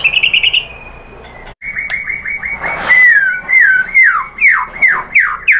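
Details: White-rumped shama song used as a lure to provoke other shamas to sing: a rapid buzzy trill near the start, then a run of loud, rich whistled phrases, many sliding downward, repeated about twice a second.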